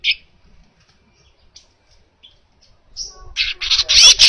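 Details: Baya weaver song recorded as a clear training recording for other songbirds: scattered faint high chips and short notes, then a loud, dense, buzzy, hissing chatter that builds over the final second.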